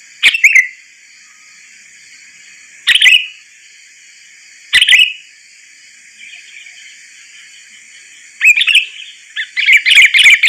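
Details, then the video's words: {'caption': 'Sooty-headed bulbul lure for trapping: single sharp, bright chirps roughly every two seconds, followed by a faster cluster of chattering notes near the end; a faint constant hiss underlies.'} "Suara pikat burung kutilang || kutilang gacor"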